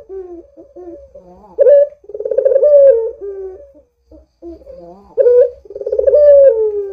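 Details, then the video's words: Barbary dove cooing loudly as a lure for other doves: low murmured notes lead into an emphatic rising note and a long vibrating coo that trails downward, repeated twice. "Suara Burung PUTER Gacor ini Paling Ampuh Untuk PANCINGAN Puter Agar BUNYI"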